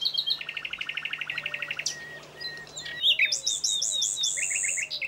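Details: Song of a Common Nightingale, a bird heard everywhere on the Spanish plateaus between Aragon and Extremadura: a long rapid trill of repeated notes, then varied sharp whistled and chattering phrases, with low soft whistles from other birds behind.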